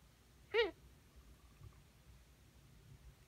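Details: Almost one-year-old female pet Ringneck dove giving a strange vocalization she has made more often in recent weeks while otherwise healthy; one brief, bright, arching squeaky note with rich overtones, then quiet room hum.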